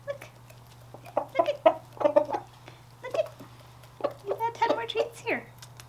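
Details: Contented rooster, kept as a pet and being hand-fed treats such as peanuts and corn, gives clusters of short, rapid, throaty clucks in bursts, ending in a fast chattering series, over a faint steady hum.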